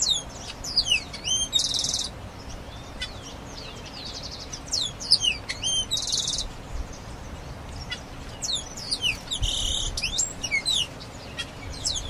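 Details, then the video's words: Grayish baywing singing repeated phrases of sharp upward and downward whistles, each capped by a loud buzzy burst, recurring roughly every four seconds. "O Canto do ASA DE TELHA (Agelaioides Badius) Bird Song - Grayish Baywing"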